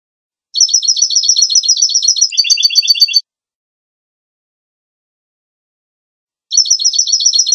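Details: Goldfinch song made of long, fast, even trills of high, metallic notes. One phrase shifts to a lower, fuller trill, then there is a long silence before the trilling resumes.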